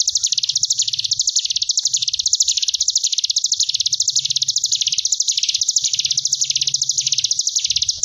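A Sunda bush warbler pours out an unbroken, high, buzzy drilling trill that swells and fades in waves about once a second, with a faint low hum beneath.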